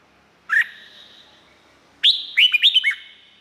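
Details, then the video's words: Song of a red-whiskered bulbul from Thailand, used to train or excite birds: an opening rising whistle, then a quick warbled run of four or five liquid notes, sweet and slurred, fading with a soft echo. "เสียงนกกรงหัวจุก สำหรับต่อ หรือ เปิดให้นกคึก เสียงเพราะๆ"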